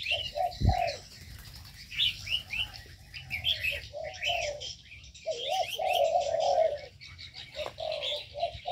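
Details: Mixed cage birds in an aviary: scattered low coos and one longer rolling coo, overlaid with a chorus of sharp high chirps and twitters, plus a brief low thump.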